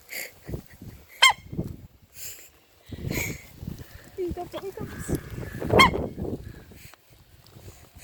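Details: Hiccuping rooster giving two abrupt, clipped, honking hiccups roughly four and a half seconds apart, with people talking and low rustling between them.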